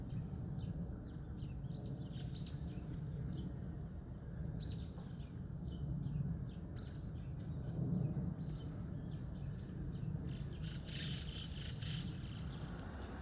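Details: White-cheeked starling (Spodiopsar cineraceus) at the Zenpukuji River, Tokyo, on 10 November, giving harsh, scratchy chirps and squeaks in irregular bursts over a steady low rumble of running water or distant traffic.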